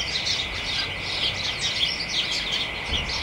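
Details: Short stretch of house sparrows and companions chattering excitedly in a garden hedge, late afternoon, early December; clustered bright chirps come in quick waves over a thin constant tone.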